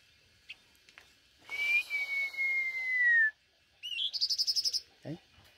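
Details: A caged Blue-winged Minla in the Vietnamese highlands, a Hmong village area, sings very purely: a long, thin, slightly falling whistle, then a quick rising note and a rapid run of about eight high, clear notes. Faint voices nearby.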